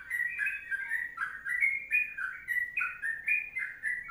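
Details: Long 'ropelan panjang' style song of the sooty-headed bulbul, with quick, bubbling, slurred whistles that run on without pause. A faint low hum sits underneath.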